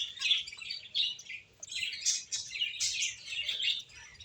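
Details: Finches playing together chirp in quick overlapping high twitters, in short bursts of roughly a second separated by brief pauses.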